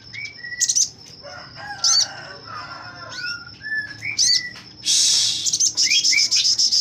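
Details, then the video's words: Sogon used as a tutor bird for magpie robins, singing with wings open: mixed short chirps and lower whistled slurs, then a dense buzzy high burst and rapid chatter. "Burung sogon gacor buka sayap"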